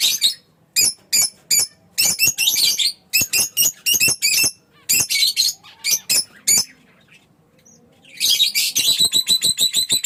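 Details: Fischer's lovebird chirping and singing: bursts of harsh, high squeaky notes and grating chatter with short pauses between, a quiet gap of about a second, then a rapid, rhythmic series of buzzy chirps.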